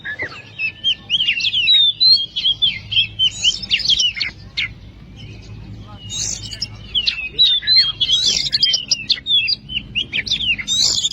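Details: Oriental magpie-robin (kacer) song meant to rouse quiet birds: rapid series of sharp chirps and short whistled slurs in quick bursts, over a steady low background hum.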